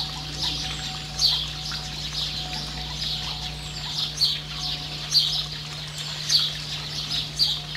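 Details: Variable oystercatcher (Haematopus unicolor) with a chick in New Zealand gives short, high, thin piping notes about once a second, set against a steady rushing hiss and a low hum.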